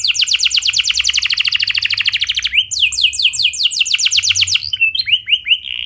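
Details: Canary singing clearly as a lure to prompt other canaries to sing: long fast trills of rapid repeated high notes, rolling phrases, then slower descending whistled sweeps near the end.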